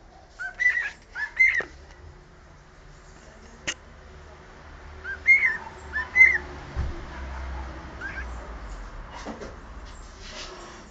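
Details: Captive cockatiel whistling the Sport club anthem: a few clear whistled notes at the start, a pause, then another short run of rising whistles, set against steady hiss and a low rumble.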